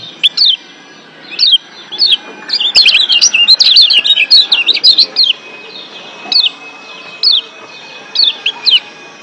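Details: Wild Lombok white-eyes singing as a group, used to heighten breeding excitement. Spaced high downslurred chirps frame a rapid, tangled twittering outburst in the middle.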